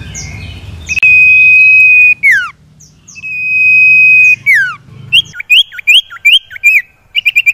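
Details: Sirtu or cipo, the common iora, singing on a lure track for caged birds: two drawn-out level whistles with falling tails, then a lively series of short rising notes.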